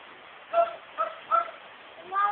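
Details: Talking pet myna, a female that mimics family conversation and sometimes answers back, uttering four short voice-like syllables spaced roughly half a second apart, the last one longer and falling.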